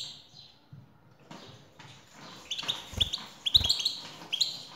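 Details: After a quieter, noisy opening, a male European goldfinch, prompted by a female's call, breaks into rapid, tinkling twitters and bright chirps. Two heavy low knocks punctuate the singing.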